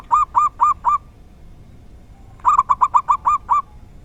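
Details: Local zebra dove singing the rare "dor tak kowor kowor" song style: four evenly spaced rounded cooing notes, a pause, then a quick rolling run of about eight similar notes.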